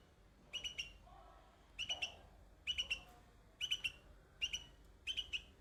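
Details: A young bulbul on white blossoms gives clipped, high twittering chirps in tight groups of two to four, repeated at irregular intervals, with a soft low murmur between groups.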